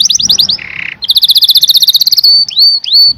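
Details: Canary song with a quick trill, a harsh buzzy burst, a very fast run of bright pulsed notes, then several drawn-out upward-sweeping whistles.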